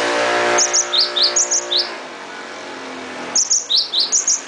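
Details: Cinereous tit singing energetically: bright, high two-note phrases that alternate between a sharp upper whistle and a lower slurred note, given in two quick bursts separated by a pause, over a faint hum of background noise.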